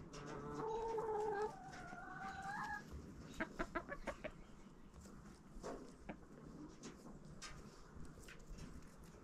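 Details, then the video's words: Backyard chickens eating pumpkin in fall, opening with a long harmonic rising call, then sharp pecking taps and occasional soft clucks over low background noise. "Relaxing Sounds of Chickens Eating"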